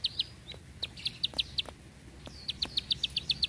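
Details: Bar-winged prinia giving bursts of sharp, high 'klik' notes in quick succession, broken by a short pause and then resuming, in the long tight 'tembakan' style.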